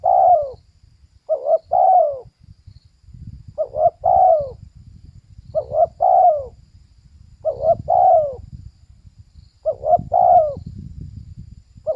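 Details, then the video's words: Female spotted dove cooing: six phrases over twelve seconds, each a quick double note followed by a longer, mellow, falling coo, with soft low rumbling noise underneath. "เสียงนกเขาใหญ่/Suara Burung Tekukur"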